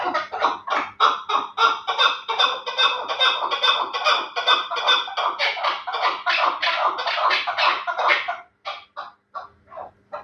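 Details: Chukar partridge of Terali stock, prized for fighting and hunting, producing a long volley of harsh, rhythmic chuck notes, about two and a half per second, that break into sparse, fading notes after eight seconds.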